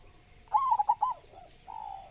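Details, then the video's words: Local Javan zebra dove, a lively singer with a big voice: one phrase of four quick, soft, rolling coos, then fainter trailing notes and a steady low hum in the background. "Perkutut Lokal Gacor Suara Besar"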